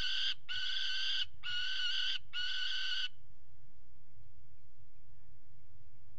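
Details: Peregrine falcon pair mating on a water tower nest ledge in February 2018: four loud, harsh, drawn-out wailing notes in quick succession, then silence apart from low mechanical rumbling.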